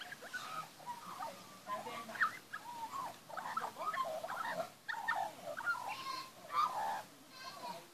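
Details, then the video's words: Magpie young at feeding time in a backyard give softer, continuous warbled phrases of chortling and slurred whistles, broken by brief pauses, with a faint background hiss. "magpie young backyard feeding n singing"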